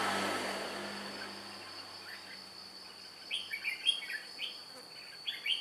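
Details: Red-whiskered bulbul used as a decoy to trap wild birds, flicking its wings and beating its tail, 2 July 2018: low rumble at first, then bright warbled chirpy phrases in quick bursts over a steady high insect drone.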